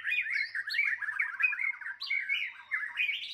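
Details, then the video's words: White-rumped shama fighting song meant to provoke rivals: a continuous, hurried run of rich warbled whistles and quick slurred notes, loud throughout, without pauses. "murai batu tarung ampuh untuk menaikan emosi"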